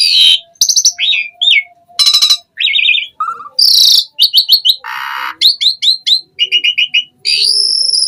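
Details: Asian pied starling delivering a busy, anti-stall full-isian song, mixing sharp whistles, buzzy rasps and rapid clicky note runs with almost no gaps.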